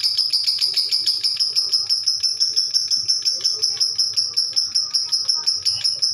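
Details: Lovebird giving a long ngekek trill: a shrill, high chattering note repeated about three times a second without pause, steady and unbroken throughout, with faint low background noise.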